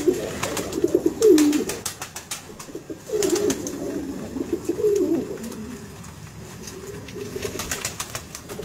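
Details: Red Indian Fantail, a fancy domestic pigeon breed descended from the rock pigeon, giving low throaty coos in bursts, soft rolling notes, with clicking and rustling knocks throughout, apparently indoors.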